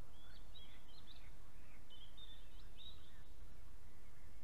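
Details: An Osprey at its nest in Estonia gives two bursts of sharp, high, slightly wavering whistles, each about a second long, over a steady low rumble of wind.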